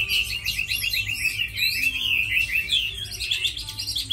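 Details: Short lively song from a tame Chinese hwamei praised for fighting and singing: a rapid chain of chirping, rolling whistles, steady and loud throughout, over low hum.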